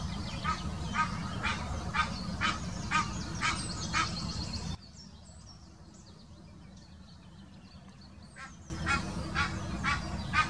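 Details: Egyptian goose in the Wittlicher Senke, 2018, uttering its mating call: a long run of rhythmic, raspy honks at about two per second, a pause filled with faint chirping small birds, then the honking resumes.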